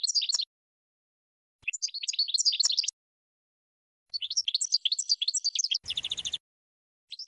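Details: European goldfinch song, played for training birds, in several twittering phrases of quick, bright, jumbled notes with pauses between, and a harsh buzzy rattle late in the passage.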